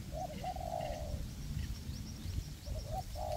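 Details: Spotted dove decoy calling in forest while used to lure wild doves for trapping. A long, wavering husky coo followed after a pause by another phrase beginning, faint high chirps from other birds behind.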